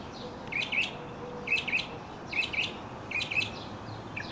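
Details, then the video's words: Singing male mockingbird during a leaping, tumbling display; phrases of two or three crisp chirps repeated about every 0.8 seconds with short pauses between. "Mockingbird Song and Dance Routine"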